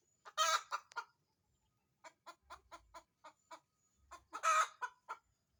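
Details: Chicken about to lay an egg, busy finding a laying place. Two loud raspy squawks bracket a run of about eight rapid clucks.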